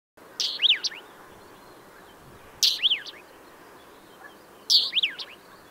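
A Northern wheatear gives three calls about two seconds apart, each a harsh scratchy note followed by quick high whistled slurs, over a soft steady hiss.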